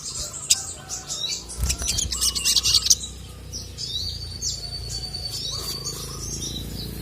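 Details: Sogon, female calling a male that responds angrily; sharp high chirps and a burst of twittering in the first three seconds, then softer high whistled notes over steady background noise.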